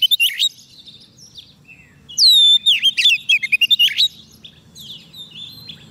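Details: White-rumped shama on a soft-food diet, singing to call wild birds: a few soft notes, then a loud dense phrase of ringing whistles and rapid chattering notes, fading into quiet twitters.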